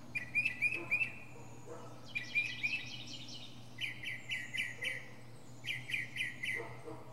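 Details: Singing from the top of a pine tree, a northern mockingbird switches between phrases: quick high chips, a rapid buzzy series, then a run of repeated mid-pitched notes, each phrase repeated several times before changing.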